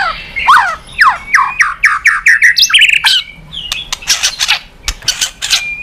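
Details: White-rumped shama song, a rich rapid series of whistled, sweeping notes and sharp clicks, descending slurs repeated through the phrase, then bright high bursts; meant to prompt other birds to sing.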